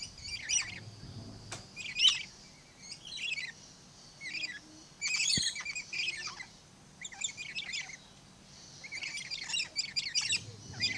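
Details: Blue-streaked lory, captive at Lion Country Safari in Florida, giving harsh, high screechy squawks in short chattering bursts, roughly a dozen spread over eleven seconds with brief pauses between them, over a faint low background hum.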